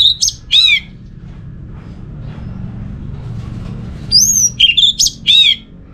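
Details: Orange-headed thrush from Singaraja, Bali, singing to draw song from other thrushes: two buzzy, warbled notes, a long quiet gap, then a lively burst of rising whistles and scratchy downslurred notes.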